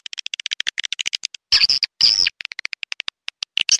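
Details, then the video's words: Edible-nest swiftlet calling recording, 'clop tanjung' style, meant to attract birds to swiftlet houses: rapid series of dry, sharp clicks and short chirps, broken by two brief harsh rasping bursts midway. "Suara panggil burung walet clop tanjung original"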